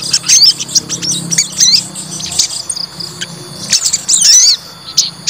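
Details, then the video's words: White-rumped shama provoked to anger to test its fighting spirit, giving bursts of high, quick chirps and short whistled, twisting phrases in fast sequence, with a steady high insect-like whine and a low hum beneath. "PANCING EMOSI TES MENTAL FIGHTER SOGON"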